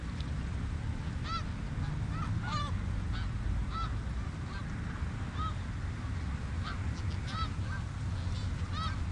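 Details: A flock of snow geese on the Richelieu River honking busily, many overlapping short, bright, arched nasal yelps in quick irregular succession from several birds at once, above a continuous low roaring rumble.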